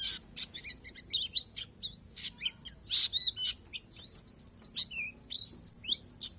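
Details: Palas Borneo white-eye singing a song filled with natural phrases: quick high, thin chirps and slurred whistles tumbling in irregular bursts, with brief pauses between busy runs.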